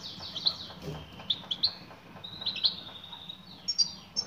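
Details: Female European goldfinch calling to a male: scattered thin, high twittering chirps and short slurred notes, bursts around every half second to a second, with faint low background rumble.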